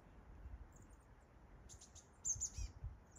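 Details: Chestnut-backed chickadee on Mt. Doug giving a few very high, thin, slightly buzzy call notes in short bursts over a low background rumble.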